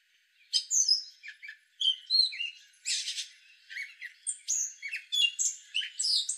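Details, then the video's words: Gray catbird, a male, singing a long jumbled run of varied chirps, squeaky notes, slurred whistles and harsh buzzy bursts, phrases following each other with barely a pause; everything sits high, with nothing in the low range. "Gray catbird call"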